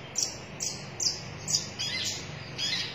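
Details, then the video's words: Red-breasted sunbird (konin dada merah) singing actively: high, short, sharp chirps repeated about every half second, somewhat harsh and thin, over a faint low rumble. "KONIN DADA MERAH GACOR"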